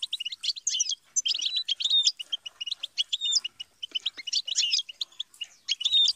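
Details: European goldfinch singing continuously, bright rapid twittering with rattling trills and short whistled slurs, repeated bursts over six seconds, clear with no other sounds.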